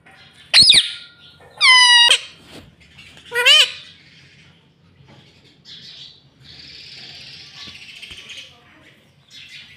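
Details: Talking pet ringneck parrot that says "mummy": three loud, harsh, buzzy harmonic calls in the first four seconds, then soft rustling and faint chatter.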